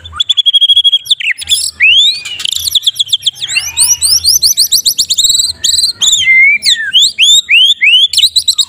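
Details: Morning song of a Medan white-rumped shama, used to train other caged songbirds: a held high whistle, then a tight volley of rising, slurred whistled notes, close together and loud, with a brief wavering whistle near the end.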